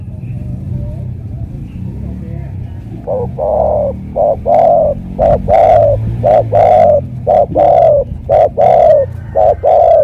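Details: Loud, close spotted dove from Cà Mau, Vietnam, giving a long, regular series of hollow coos. Short and drawn-out notes repeat roughly once a second, mixed with sharp clicking or tapping sounds and a low background hum.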